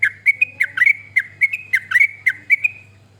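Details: Yellow-vented bulbul recording for getting other birds to sing: a quick burst of liquid, chattering whistles, some notes doubled, slowing and fading near the end, with a low hum behind.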